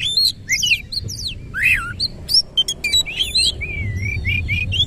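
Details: White-rumped shama delivering looping whistles and sharp up-down notes, a few clicks, then a string of smooth wavering whistles near the end, over quiet background rumble.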